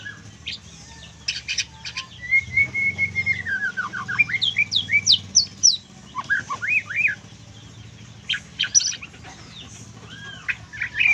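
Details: Trotol-style singing from a white-rumped shama with full kriwikan: rapid runs of high chips and twitters around a drawn-out falling whistle, bursts coming several per second, a low droning hum behind.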